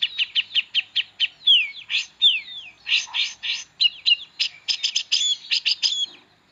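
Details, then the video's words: Long-tailed shrike song with rich imitated phrases, used to tutor magpie-robins: it opens with an evenly spaced string of rasping notes, then falling whistles, harsh chatters and quick chip series, in a clean recording. "Pentet istimewa.... isian oke banget. pas buat masteran burung murai."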